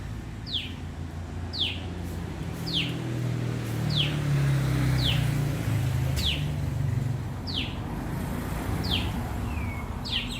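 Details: Common tailorbird repeating short, sharp downslurred notes about once a second, set against a strong low rumble of passing traffic.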